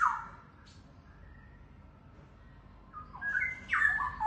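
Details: Wild-caught young Straw-headed Bulbul pair, DNA-tested male and female, kept caged. A short whistled note opens the clip, then quiet, then a loud burst of fluty, sliding warbles near the end.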